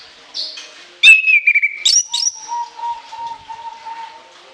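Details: Orange-headed thrush delivering a piercing, high-pitched song with a long fill: bright falling whistled phrases and sharp high notes, followed by a soft, steady run of repeated lower notes.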